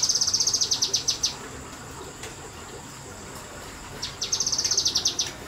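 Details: Kinoi bird in semi-wild surroundings, delivering quick nembak bursts: a fast, high, metallic trill of about a dozen clipped notes, silence for nearly three seconds, then a second matching burst, with low steady noise beneath.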